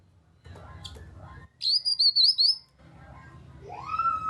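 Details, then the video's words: Lure call of a grey-cheeked bulbul, meant to set quiet birds singing. A crisp nyaut phrase of five quick, high looping notes is followed by a lower rising whistle, with some faint background noise. "Pancingan Burung Kinoi agar ikut Bunyi Nyaut cocok untuk kinoi ombyokan diam saja supaya gacor"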